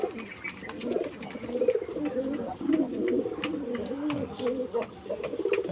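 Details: Courting pigeons give continuous throaty, warbling coos that swell and dip in pitch, overlapping almost without break, with light tapping and shuffling noises behind.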